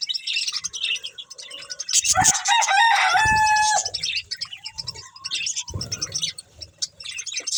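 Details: Budgies feeding on green food give continuous high chirping, broken midway by a loud harsh warbling squawk with a steady tonal note, then busy twittering resumes among soft low knocks.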